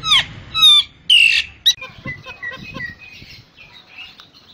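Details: Common myna, locally called jalak nias, singing a full varied song used for training other songbirds: loud harsh harmonic squawks and a descending whistled note in the first two seconds, then softer rapid chattering and clicks.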